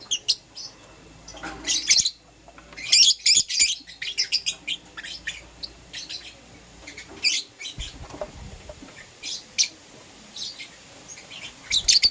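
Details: Lovebirds of green opaline and lutino colour varieties chirping in the morning: bursts of shrill, high-pitched chirps come in quick clusters, then scattered single notes, with short quiet gaps between.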